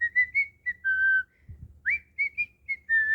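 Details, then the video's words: Pet cockatiel whistling while talking and playing: smooth tonal notes, some level and some falling, then a sharp upward-swooping whistle followed by short chirpy notes and a long steady tone; dull low knocks in the background. "Cockatiel talking & playing"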